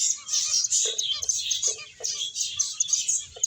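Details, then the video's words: Flock of finches playing and eating, giving rapid high chirps in an unbroken chatter, interrupted by several short lower pecking or tapping sounds. "Cute Birds Chirping Sounds | Beautiful Finches Playing and Eating"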